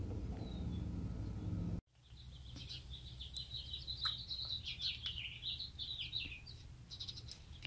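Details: House sparrow fledgling, found beside a house and placed in an old nest in a palm tree, waiting for its mother: high thin chirps repeated rapidly in a wavering series for about five seconds, after a sudden cut from low rumbling noise.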